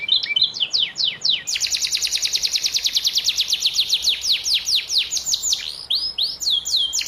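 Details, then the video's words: Canary in moult, young bird, giving tutor song used for training: a few sharp downward-sliding notes, then a long rapid series of identical ringing downslurs about ten per second, closing with looping high whistled phrases. "masteran kenari paud kenari mabung"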